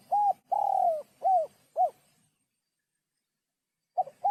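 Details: Spotted dove in sấm chuông style, played to stir cocks, hens and wild doves; a short phrase of a coo, a long falling note and two arched coos, silence, then a new phrase starting.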